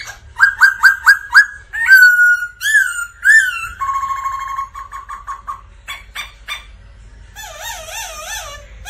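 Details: Black laughingthrush in full, intense song, used as training song for other laughingthrushes: five quick clear whistled notes, downslurred whistles, a rapid stuttering series of lower notes, then sharp chips and warbling, wavering whistles.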